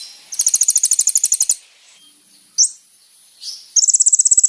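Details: Song of a Van Hasselt's Sunbird, played as a lure to provoke other birds. Very high, rapid trills of evenly spaced ticks last about a second, then come a pause, a lone upslurred chip and another trill.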